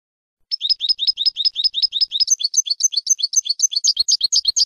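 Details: European goldfinch training song, a continuous rapid stream of high liquid twittering notes, steady and bright, shifting midway to a slightly higher, fuller pattern with no other sounds.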